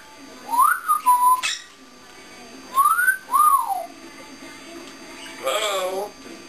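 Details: African grey parrot kept as a pet indoors, performing when its owner leaves the room; two pairs of clear whistled notes rising then falling, followed by a short buzzy sound.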